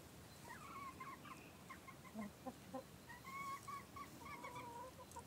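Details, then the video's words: Chickens chattering on a warm 15-degree March afternoon at 17:00, giving a steady run of short, harmonic clucks and soft rising notes, several birds overlapping, with low background rumble throughout. "Hühner Tratsch"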